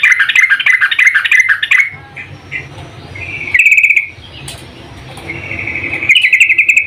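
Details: Calling female sooty-headed bulbul summoning the male: two seconds of dense, loud, jumbled chattering, then two separate fast buzzy trills after a quieter gap with low hum.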